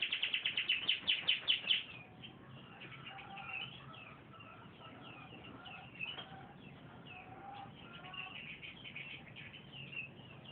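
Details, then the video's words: Canary in full, lively song: a fast run of bright, repeated chirps at a steady pulse for two seconds, then quieter warbled and trilled phrases over constant background hiss. "suara burung kenari gacor"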